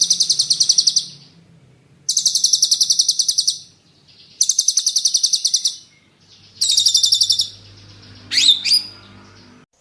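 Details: Training material of murai (magpie-robin) song for songbirds: four bursts of fast, piercing high trills separated by quiet gaps, ending with sweeping slurred notes and a faint low hum beneath.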